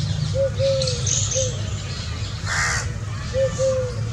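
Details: Indian scops owl from a family of five at water on a hot summer day: paired soft low hoots, short arched then longer flat, open and close the stretch, with one harsh crow caw between them and a constant low rumble.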